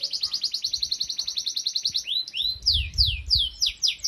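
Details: Canary song used to train young canaries to sing: a fast, even trill of about two seconds, then a run of repeated downward-sweeping whistled notes, with low background rumble.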